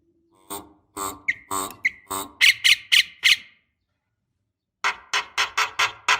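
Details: Black-winged starling, described as a female calling males and used as a lure for young birds: loud, harsh squawking notes in quick bursts, a run of five rasping calls, then a pause and six more rapid harsh notes, indoors.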